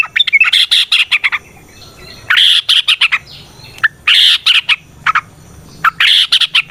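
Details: Lure song of a sooty-headed bulbul in the ropel variasi style with nrotok rattling, used to prompt other bulbuls to sing. Loud, harsh chattering phrases in irregular clusters, separated by short pauses.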